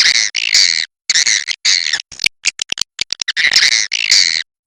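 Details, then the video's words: Kapuas River swiftlet giving loud buzzy, rasping chatter in short bursts, alternating with quick sequences of sharp clicks and short silences. "SUARA BURUNG WALET SUNGAI KAPUAS"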